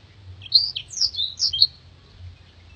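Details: Short phrase from a Black-throated canary, recorded as a master for training contest birds: a handful of high, clear slurred whistles and chirps in just over a second, followed by quiet.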